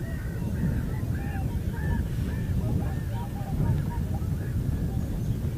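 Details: Wild common cranes at Heinä-Suvanto nature reserve in Viitasaari, Finland, 26 April 2011, give loud rolling trumpet calls, paired notes repeated about twice a second throughout, over constant low wind rumble.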